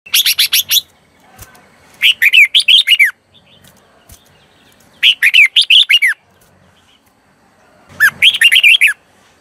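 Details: Red-whiskered bulbul used as a decoy, singing to lure wild birds: bursts of loud, bright, slurred whistled notes rising and falling, each phrase about a second long, repeated every two to three seconds.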